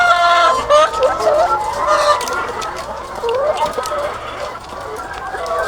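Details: Thousands of egg-laying hens on a farm, a dense chorus of overlapping clucks and drawn-out wavering calls, many voices at once with no pause, rising and falling in a continuous murmur.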